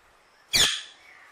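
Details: A pet female common hill myna lets out a single loud, harsh, broadband squawk lasting under a fifth of a second, with a brief fading tail in an otherwise quiet indoor setting.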